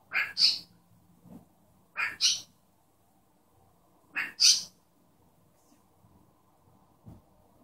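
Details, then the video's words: Pet cockatiel imitating its owner's sneeze while chattering: three paired, sharp, breathy bursts, each a quick double puff, spaced about two seconds apart, with faint low room noise between them. "Calopsita falando e espirrando"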